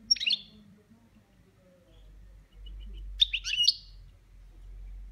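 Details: Caged European goldfinch giving its 'boniments' song: a quick twittering burst, a few seconds of quiet with soft low rumbling, then a second rapid phrase of high, sharp, slightly buzzy notes.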